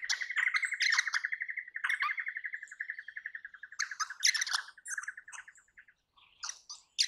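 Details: Crimson rosella, a parrot of eastern and south eastern Australia, giving a long fast run of repeated pulsed chattering notes, about four per second, overlaid by louder sharp squeaky calls.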